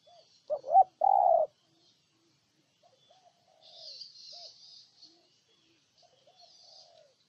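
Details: Close spotted dove in Ninh Thuận, Vietnam, delivers one loud phrase, a short note, a quick double hoot and a sustained low coo, followed by faint far-off doves cooing and some high hissing.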